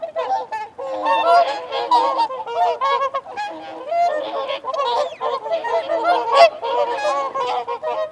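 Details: Honking whooper swans in a feeding and territorial exchange, many birds calling at once in uneven surges, a loud peak near six and a half seconds, with wigeon and mute swans also heard.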